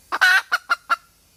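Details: Female red junglefowl calling for a mate: a short cluck, a drawn-out squawk, then three quick clucks in close succession.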